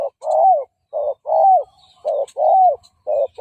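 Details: Fighting coo of a spotted dove decoy meant to draw in and provoke wild males: paired phrases, each a short clipped note followed by a longer coo that dips at its end, repeated about once per second.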